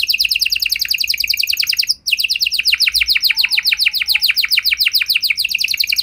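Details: Canary singing a fast trill of high downward-slurred notes, broken by one brief gap and then resumed. The song is offered to draw replies from other canaries.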